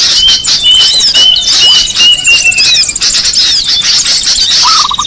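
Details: Small birds calling as a lure: steady high squeaky chatter and twitters, thin whistles held and slightly falling, and a brief lower stuttered trill at the close.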